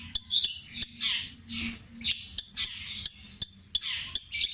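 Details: Captive long-tailed shrike from Java giving imitated calls in the petir style. Sharp high clicks are spaced irregularly, and softer harsh rasping bursts sit between them.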